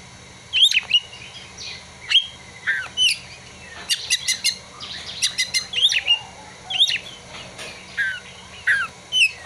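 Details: Oriental magpie-robin singing with borrowed prinia and sunbird material: a lively stream of sharp whistles and ticks, quick high trills in the middle, varied phrases throughout.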